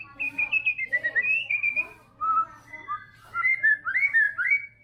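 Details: White-rumped shama of the trotol type singing energetically, rich varied whistles in quick bursts: warbling phrases, a brief pause, then clear rising and falling whistled notes repeated several times per second.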